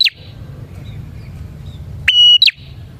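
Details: A single loud bar-winged prinia phrase, used as lure song for prinias: a bright sustained whistle followed by a quick downward flick, after a brief fragment at the start and a quiet stretch.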